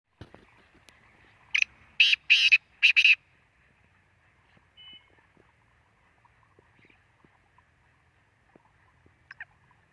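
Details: Black francolin giving one harsh, grating phrase: a short opening note, then three loud buzzy notes in quick succession. Faint chirps and ticks follow in an otherwise quiet setting.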